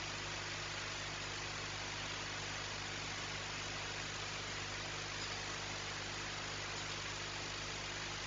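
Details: Steady broadband hiss with a low, constant hum underneath, like an engine or machinery running; no animal calls are heard.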